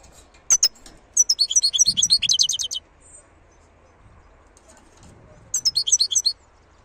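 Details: Wild European goldfinch with sharp single calls, then a long rapid twittering phrase of high, liquid, buzzy notes, with a second shorter burst after a pause and faint background rumble.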